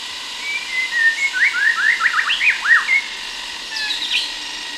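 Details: Sumatran white-rumped shama delivering a quick run of rising and falling whistled notes, a fast ripple of slurred syllables, then softer high notes, with a constant cicada drone behind.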